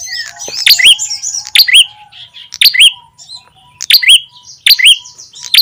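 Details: Ashy tailorbird sound used as a lure to draw small wild birds close: bright, rising, whistled chirps in quick pairs, repeated roughly every second, over softer background twittering.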